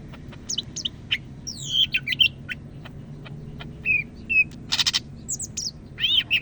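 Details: Cak Ijo Medan, a greater green leafbird from North Sumatra, singing loudly and persistently: varied upslurred and downslurred whistles, sharp clicks and a brief noisy rasp, delivered in uneven bursts.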